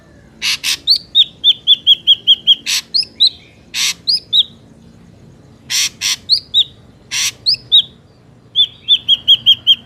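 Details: Ashy drongo song used as a trapping lure, mixing loud harsh rasps with runs of quick whistled notes and short downslurred whistles, repeated in several phrases.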